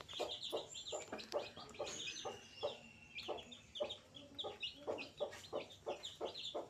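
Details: Baby chicken chicks on day 5: a dense chorus of short, high peeps, many birds overlapping continuously, with lower soft pulsed notes repeating through the clip.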